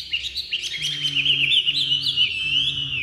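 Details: Captive Chinese hwamei in full song straight after leaving its box, a rapid, varied warble of high whistled and trilled notes running without pause, with a low steady hum beneath.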